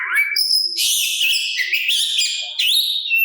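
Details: Oriental magpie-robin singing to coax other magpie-robins into answering: a rising whistle, then a loud dense run of high buzzy and whistled notes with stepped pitch changes, ending on a steady clear tone.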